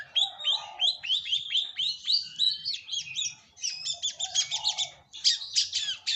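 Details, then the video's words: Lure recording of a long-tailed shrike: a fast series of downward-sliding whistled notes, then loud buzzy, grating bursts in rapid clusters, separated by a short break. "Pancingan Burung Cendet"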